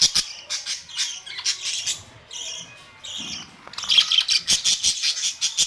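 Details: Colourful budgerigars kept as pets, May 2, 2023; rapid scratchy chirps and squawks, a quieter pause, then fast repeated chatter.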